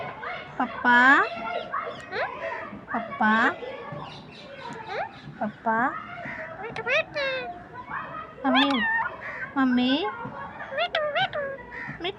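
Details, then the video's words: Green parrot talking nonstop, mimicking speech: a run of short, pitch-sliding, voice-like phrases and squawky syllables, with a couple of sharp high whistles, almost without pause. "Nonstop talking parrot"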